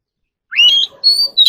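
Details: Oriental magpie-robin song used for voice training: after half a second of silence, a clear whistled phrase rises then holds, followed by a higher sustained whistle and a short final note.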